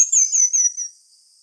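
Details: One phrase from a pin-tailed manakin: roughly five very high, sweet notes in quick succession, each slurred downward and the series gently falling in pitch, then silence.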